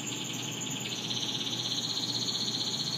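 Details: Spanish Timbrado canary, yellow, delivering a continuous rapid rolled trill, bell-like and pulsing, that shifts slightly upward in pitch midway and keeps a steady rattling beat throughout.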